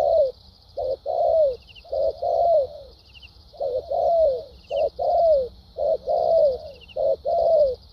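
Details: Vietnamese 'bài bản' cooing from a wild-caught spotted dove: rhythmic low coos in quick pairs and longer falling notes, roughly one each second, with an unbroken high-pitched drone and small chirps in the background.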